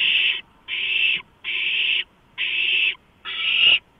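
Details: Several owlets at a large rodent delivery, 23 March 2015, after midnight. Five loud, coarse hissing screeches, each under a second long, are spaced by brief silences. A soft thud accompanies the last one.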